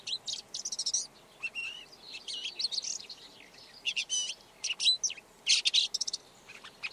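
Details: Song of a Red-backed shrike: a long, hurried medley of scratchy chatter, short whistled slurs and harsh buzzes, with quick clicking runs between phrases.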